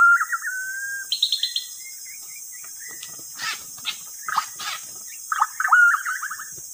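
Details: Lure recording of white-rumped shama singing: a long level whistle, a quick high trill, then scattered sharp clicks and harsh bursts, ending in rapid rising and falling chattered notes.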